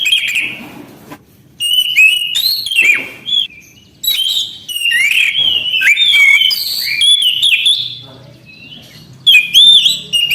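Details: A steadily singing Orange-headed thrush delivers dense, varied song with fast-changing whistles, chirps and sliding notes in long runs, broken by occasional brief silences.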